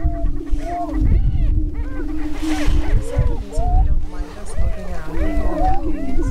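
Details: Greater prairie-chickens displaying on a spring lek in northwest Minnesota near Crookston, 27 April 2013, during the annual mating dance: a steady low hooting drone with many overlapping whooping, cackling calls, and low rumbling wind throughout.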